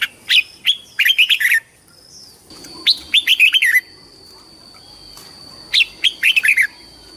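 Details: Competition-style red-whiskered bulbul song for calling the flock and voice training. Three rich phrases of bubbling, looping notes, each with five or six syllables, are separated by brief pauses. A faint steady hum runs underneath.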